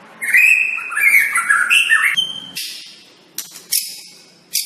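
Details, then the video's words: Shama master song for training birds: rich warbled phrase of rolling, looping notes, then a sharp high whistle and scratchy, buzzy high bursts with pauses between. "Jangan salah pilih masteran untuk murai anda.."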